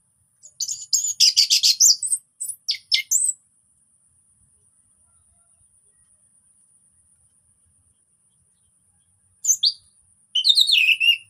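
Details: Orange-headed thrush singing casually as a lure for silent thrushes; rapid, scratchy high chattering phrases for about three seconds, a long silence, then more quick bright twittering near the end.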